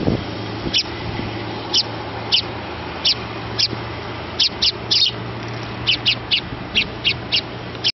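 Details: Little sparrow nestling begging for food while a parent feeds it. Crisp high chirps start spaced about a second apart, then quicken into a rapid, regular series toward the end over steady low hum.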